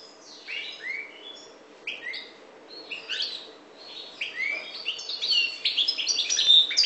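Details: Goldfinch of the parva race, Maghreb, starting with spaced rising chirps that build into a denser, faster twittering run by the close.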